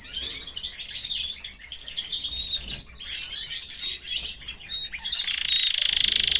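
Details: Caged canary with its family, chattering song of quick high chirps and short twittering notes, overlapping and fairly steady, ending in a brighter, louder stretch of buzzy trilling.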